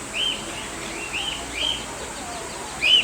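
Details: Wild eastern rosella, tagged Campbelltown Wild Bird Forest and later compared with a pet bird: clear whistled notes that arch up and down, repeated about every half-second to second, with a brighter whistle at the end over steady background hiss.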